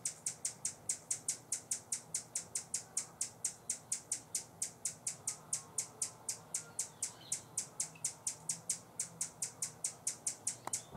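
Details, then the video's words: Sustained chattering of a Buff-bellied hummingbird guarding a feeder at San Benito, Texas, October 2014: an unbroken train of sharp, high tick notes, about four per second, lasting eleven seconds. "Buff-bellied Hummingbird warning call"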